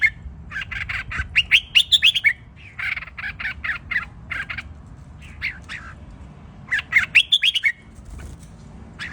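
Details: Red-whiskered bulbul singing repeated phrases of harsh chattering notes that climb into bright whistled flourishes, grouped in bursts with pauses between, over constant low-pitched background noise.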